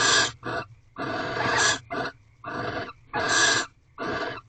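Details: >Wild barn owls mating in an owl box at night, 5:23 am, 8 March 2023, the 19th night of mating: harsh, broadband hissing screeches, six bursts of varying length, some over half a second, with short gaps.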